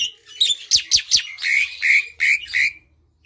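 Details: Asian pied starling song meant to coax quiet birds into singing: a run of sharp descending chips gives way to several loud, buzzy, whistled phrases before silence near the end.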